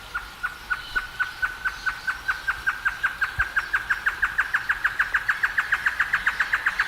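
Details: Wild great antshrike song: a long chain of short hollow notes that gradually accelerates and grows slightly louder, more than forty notes in all, with no other clear sounds.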